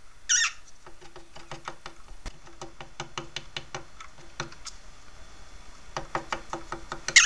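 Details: Pet parrot banging its beak: a steady run of sharp taps, roughly three to four per second, with a brief harsh squawk at the start and another at the very end.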